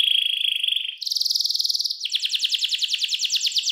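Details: Canary with a fancy, clear-voiced song meant as master song for young canaries learning to sing: a bright rapid trill steps up to a higher buzzy roll, then shifts to rhythmic downslurred chirps repeated about four per second.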